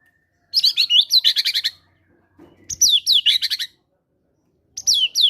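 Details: Lure recording of a caged White-rumped shama, fighter style, singing gelatik batu material: three loud phrases of high slurred whistles ending in rapid buzzy stuttered notes, with soft thumps between phrases.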